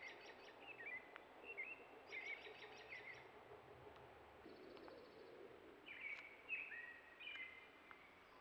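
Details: Tundra swans calling in central Alberta, recorded by a trail cam at a ruffed grouse drumming log: short, high, bugling notes in loose clusters, some slightly rising, over steady background noise and faint higher chirps.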